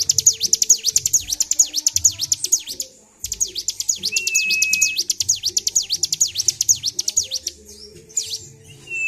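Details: Caged Bar-winged prinia provoked into excited nonstop ngedur singing, 26 February 2023: rapid regular sweeping chips around two per second, a short silence, then more chips with a flat steady whistle and faint low thumps.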